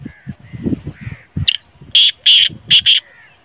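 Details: Harsh, ratcheting call of a black francolin, four loud scratchy notes in two pairs after a short note, with low mumbling noises and soft whistles from other birds before it.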